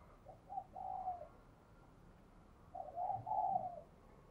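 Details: Caged spotted dove with a 'đồng kim' voice, an eager cooer used to stimulate newly caught birds. Two muffled coo phrases, each a short note then a longer drawn-out coo, over constant hiss.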